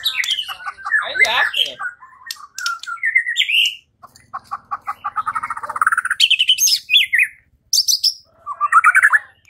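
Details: White-rumped shama song played as a lure to make another shama fight and sing loudly: a rich, varied stream of slurred whistles, rapid trills and short rattling notes, rising and falling phrases delivered almost without pause.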